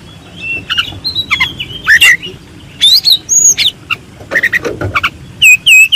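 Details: Contest-champion white-rumped shama singing master song: varied whistled phrases, some rising and some falling, interspersed with harsh rasping bursts and sharp clicks, loud and energetic throughout.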